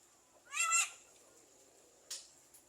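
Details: Javan myna (jalak kebo), a lively talking bird, imitating speech and a man's cough: a short nasal, harmonic-rich note lasting under half a second, then a brief rough click, in a quiet setting.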